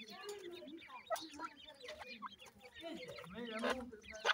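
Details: Grey francolin chicks feeding, many soft high chirps and downslurred peeps overlapping, with scattered clicks and taps throughout.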